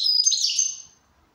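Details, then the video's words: Goldfinch in good condition producing one brief, loud, high-pitched twittering phrase with a thin whistled edge that fades out after under a second. "Switty goldfinch"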